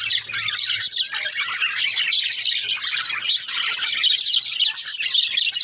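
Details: Female parakeets, pet budgies, chirping constantly: overlapping high twitters, trills and scratchy warbles form a steady chorus throughout.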